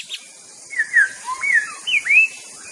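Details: White-rumped shama (murai batu) singing a quick run of clear, slurred whistles, some rising and some falling, in two short bursts of three notes each after a brief high note, over a faint steady high hiss.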